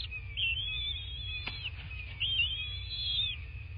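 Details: Bald eagle at its nest in southwest Florida on a February 2024 morning, giving two long, high, wavering whistled whines with a brief click between, over a constant faint electronic hum.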